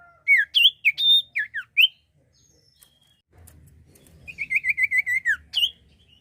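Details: Common iora singing, used to lure birds: a burst of varied whistled and slurred notes, a pause, then a rapid rattling series of short repeated notes closing with a sharp upward note.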